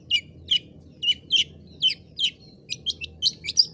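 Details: Harsh, scratchy chattering notes repeated in a steady series by a long-tailed shrike, the bird noted for its sharp shrill cries and mimicry, ending in higher squeaky chips.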